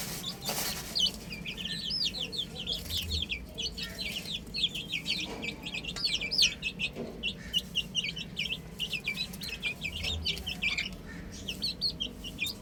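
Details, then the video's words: A flock of baby chickens on a roof chirps nonstop, shrill falling peeps overlapping in a dense chorus, with a few soft bumps and a low hum behind. "Adorable Chicks Chirping Sounds"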